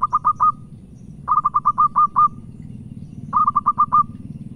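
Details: A local wild zebra dove calls in three phrases of four to six quick, soft notes, each ending in a longer rolled coo, over a low rumbling background.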